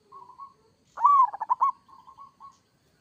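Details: Kerot-style song of a local zebra dove: soft even cooing notes, then a strong rising-and-falling coo followed by three or four rapid rolling pulses, ending in quieter level coos.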